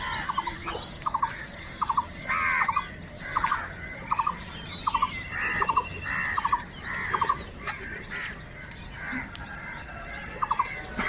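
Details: Crows squabbling over food. Short, clipped calls repeat steadily about every half second, mixed with rougher, longer caws and outdoor background hiss.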